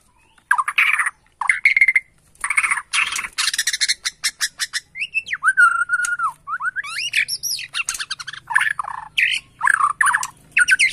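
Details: Agitated Borneo white-rumped shama answering a lure song: loud dense bursts of harsh and whistled notes, a sustained level whistle in the middle, then fast varied chattering phrases.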